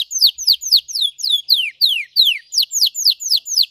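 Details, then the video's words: Red Belgian canary song meant for training, deep and intense: a steady series of about thirteen quick, downward-sweeping whistled phrases, repeated evenly several times a second with no other sounds. "Canário belga vermelho canta muito gargata profunda e intensa para treinar"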